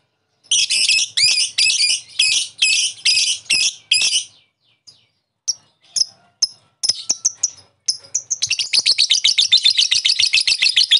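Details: A lovebird used as bait to set off a rival's calling gives spaced, harsh buzzy phrases, scattered sharp chips, then breaks into a fast, steady rasping chatter.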